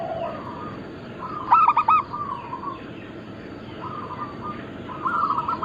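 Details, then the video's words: Local zebra dove of Bangkok crossbreed, used as a lure for other doves: one short burst of loud hollow coo notes amid fainter drawn-out cooing from other doves and steady background hiss. "Perkutut lokal gacor - Pintar Mengundang Bunyi semua jenis burung kutut Lokal bangkok crossing"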